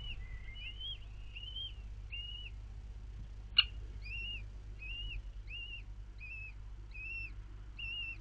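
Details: Four newly hatched common kestrel chicks begging as their mother feeds them, recorded 4 May 2022: thin arched whistles repeated roughly every 0.6 seconds in a steady series, with one sharp click midway and a low background hum.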